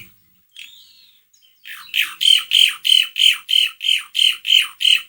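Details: Asian pied starling meant to stir a reluctant bird into song: a thin whistled slur opens, then a steady series of about ten rasping, chattering notes roughly three per second.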